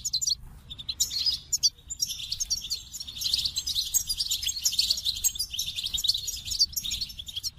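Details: Continuous goldfinch singing: a dense, tumbling stream of high twittering notes, fast chatter and buzzy trills running almost without a break.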